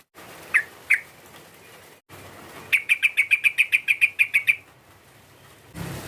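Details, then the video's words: Sooty-headed bulbul call used to goad a rival: two isolated chirps, then a rapid, even rattle of about a dozen sharp, clipped notes lasting roughly two seconds. "PANGGILAN TRUCUK ini memancing emosi lawan, TRUCUKAN langsung BUNYI GACOR"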